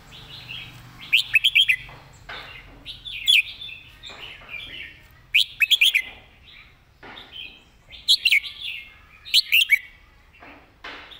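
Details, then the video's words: Red-whiskered bulbul delivering a quick, repeated model song. Clusters of three or four sharp, ringing notes mixed with chattering warbles recur every two to three seconds, with quiet pauses between. "เพลงดี"ปากไว เดินเพลงย้ำๆ เพลงแม่บท"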